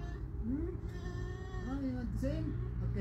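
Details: Pet female cockatoo talking outside, producing low, speech-like curving syllables in short bursts, some rising and some falling, over constant low background hum.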